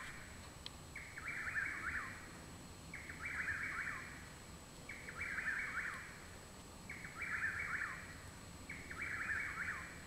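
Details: Night song of a Chuck-will's-widow behind a home in Parkersburg, West Virginia, on 21 June 2019, when up to three birds seemed to sing; five evenly spaced whistled phrases, about one every two seconds, over faint hiss.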